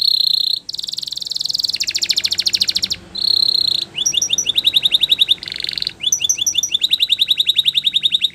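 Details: Canary singing in Spanish Timbrado style for training: long rolling buzzy trills, a steady whistled tour, then repeated fast chirped phrases, with faint low background hum.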